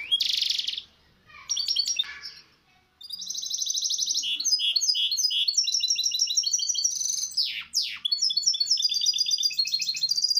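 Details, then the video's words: Misto hybrid canary singing on a training recording for young birds. After a few short harsh bursts and a pause, it delivers a long, varied run of rapid high trills, rolling notes and quick repeated chirps. "شريط طائر الميستو الهجين للتحفيظ الفراخ"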